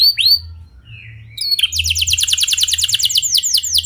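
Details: Canary singing clearly as a lure to spur other canaries into song. A few sharp upswept chirps and a short soft note come first, then a rapid, steady rolling trill of high downslurred notes runs to the end.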